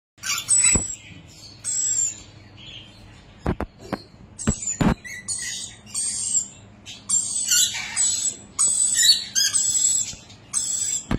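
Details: Baby rainbow lorikeets in a bird store, whistling near an Eclectus parrot, give shrill, high whistles and scratchy chatter in uneven bursts, broken by a few sharp taps or clicks.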